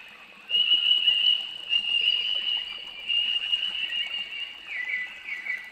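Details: Noisy miner, an Australian bird, recorded in ambisonic surround sound: a loud, steady high piping tone held for several seconds, ending in a few quick downslurred notes, over faint background rustle.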